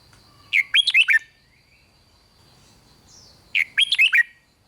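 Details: Red-whiskered bulbul singing to excite other bulbuls: two bright, rapid phrases of slurred whistled notes about three seconds apart, each of roughly five loud syllables, with a faint thin whistle between them.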